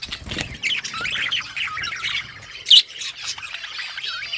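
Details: Pet budgerigars chirping and talking to each other: a busy run of twittering, warbled chirps with a few sharp clicks and one louder squeak near the middle, over faint low rumbling.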